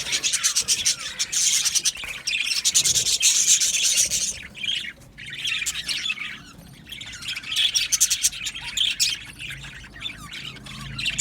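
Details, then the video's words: Aviary budgies, a continuous fast chatter of high chirps and squawks from many birds, swelling and fading in waves. "Budgies singing and Chirping Sounds"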